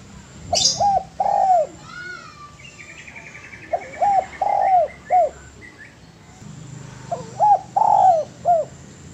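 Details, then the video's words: Spotted dove master recording for training birds. Three repeated phrases of quick low coos, a long mellow croo and a final coo, about every three seconds. A sharp chip and a rattling trill from another bird come early. "MASTERAN DERUK"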